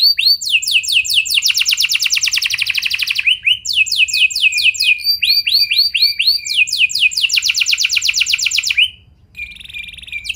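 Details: Canary singing to prompt other canaries to join in, a continuous chain of fast rolling trills and sweeping whistled notes, some phrases rising, others buzzing, with a short high steady tone before a brief gap near the end.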